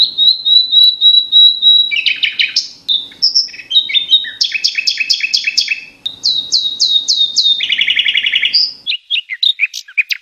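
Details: Red avadavat, a tiny songbird with a melodious, loud voice, recorded 2 July 2021: a long, varied high song of clear whistled notes, then rapid buzzy trills and stuttered chip series, with a faint low hum beneath.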